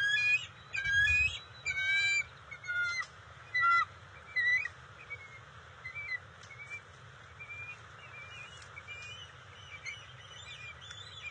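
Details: At the NCTC bald eagle nest, June 27, 2021, the female brings fish to the eaglets. Loud stuttering whistled chips open the recording, then softer, scattered high piping notes trail off against low rumble.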